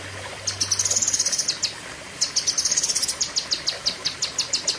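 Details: A blue-winged leafbird singing 'tembakan' shots: a short high buzzy trill, a pause near two seconds, then quick sharp high notes repeated several times a second to the end.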